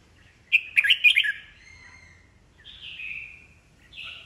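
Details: Red-whiskered bulbul, old wild-caught bird used to excite other caged birds into competitive singing: a rapid chattering phrase, then a pause and two softer drawn-out whistled notes.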